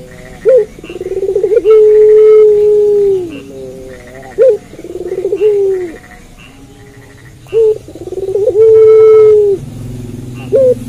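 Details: Puter pelung dove singing at night, three repeated phrases of a sharp short note, a fast rolling pulse series and a long sustained coo that bends downward, with a faint low hum behind.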